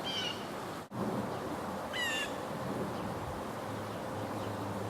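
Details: A nervous Blue Jay gives two harsh, slurred jeer alarm calls about a second apart as a Cooper's Hawk perches nearby. Recorded during the Springfield, Vermont Christmas Bird Count on 21 December 2013, between rain storms, over low rumble and a sharp knock.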